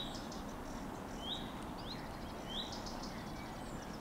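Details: Wild common redstart, 15 June 2023: short, rising whistled contact calls alongside croaking water frogs, over steady low background noise.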